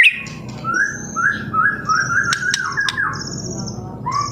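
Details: A young white-rumped shama gives a lure song to set other birds singing: a string of six similar rising whistled notes about every quarter second, then sharp clicks and a final upslurred whistle.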